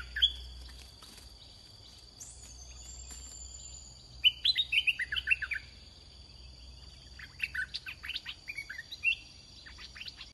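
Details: Red-whiskered bulbul in a cage, used to lure a wild bird, sings two spaced bursts of rapid, rollicking chirps and slurred notes. Between the bursts there is quiet, with a persistent high tone and a low rumble.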